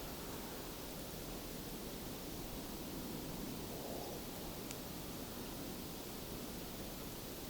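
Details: Steady broadband rushing like wind or surf fills the recording, with one brief faint click and no animal calls.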